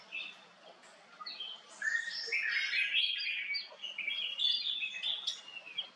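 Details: Chattering twitter of a male cut-throat finch, a small estrildid kept as a cage ornamental: quiet start, then a dense burst of high, slurred chirps and tweets that rise and fall for several seconds.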